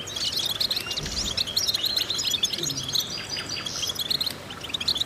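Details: European goldfinch singing as a training exercise for other goldfinches: quick liquid twitters and buzzy chips in a steady stream, with faint low knocks underneath.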